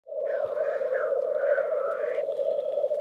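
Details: Black grouse males in a lekking competition in Västmanland, Sweden, heard from a photo-blind: a steady, dense bubbling drone holds one low pitch throughout, with fainter warbling overtones above that stop near the end.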